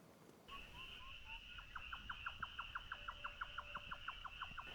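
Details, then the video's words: At sunset near a remote rural village in Korea, a viewer suspects a Grey Nightjar: a steady run of sharp, knocking 'tchuck' notes, about three a second, over a continuous high insect-like whine and faint whistles. "그 뿅뿅뿅 소리는 쏙독새 소리일겁니다"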